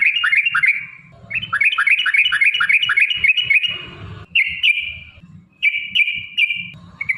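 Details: Sooty-headed bulbul giving long rapid 'ropel panjang' song: a tumbling series of quick bubbly notes, then several separate drawn-out buzzy whistles, with faint low rumble beneath.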